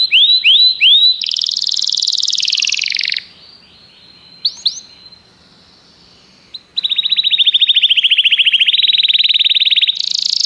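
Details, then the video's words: Common canary singing: rising swooped whistles, a dense buzzy roll, quiet pause with a few chips, then a long fast rattling trill of evenly repeated notes ending on a high buzz. "Canários cantam"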